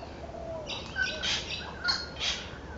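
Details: Spangled drongo, 26 July 2011, giving a series of harsh, rasping, metallic bursts about every half second, mixed with brief whistled notes, against a constant low rumble.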